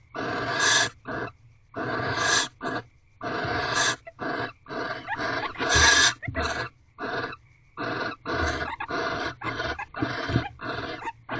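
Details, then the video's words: Barn owl pair mating before dawn in an owl box in a corral, on the nineteenth night of mating: rapid series of rasping, hissy screeches, about fifteen short bursts with a few louder, longer ones. "Barn Owls Mating 19th Night"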